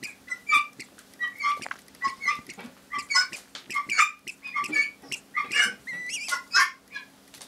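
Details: Pet helmeted guineafowl, one cuddled on a lap while another nags in the background: harsh, grating, repeated calls in an uneven, overlapping chatter.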